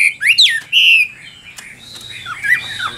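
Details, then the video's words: Loud Chinese hwamei song: strong upward-swooping whistles and a sustained bright note, followed by quieter twittering phrases; the bird is a 'Tam Hoàng' type traded hwamei. "Họa Mi Tam Hoàng Miệng Mỏ Như Máy Khâu, Điện Đóm Căng Hót Hét Bài Bản"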